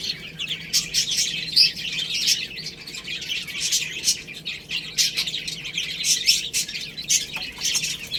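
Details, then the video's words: Baby chickens eating rice and playing, giving a dense chorus of high, thin chirps and peeps overlapping continuously, with sharp pecking clicks throughout. "Beautiful Chicks Chirping Sounds"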